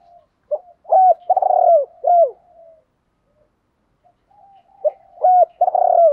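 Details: Spotted dove call, male and female birds, used to coax caged doves into calling; two loud phrases of hooked and rolling coos about four seconds apart, separated by faint murmurs and a brief pause.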